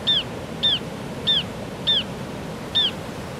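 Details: A turnstone preening on a rock on a beach by the sea gives five short, sharp downslurred chirps, spaced roughly half a second apart, over a low rumble of surf.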